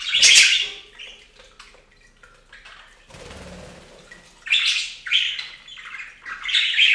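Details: Budgerigars bathing in a bird fountain: bursts of bright, scratchy chirps open and close the clip, with a stretch of splashing, running water in between.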